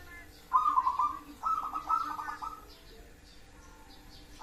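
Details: Local zebra dove giving two rapid, stuttering trilled coo phrases back to back, then falling quiet before a final note begins; steady faint hum beneath.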